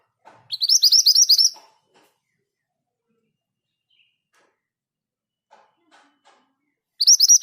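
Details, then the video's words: Scarlet minivet, local name mantenan gunung, with a fast ngerol roll: a second-long string of bright, high, rising chirps, then a long near-silence with faint ticks before the roll starts again. "Suara ngerol dengan speed yang pas. MANTENAN GACOR"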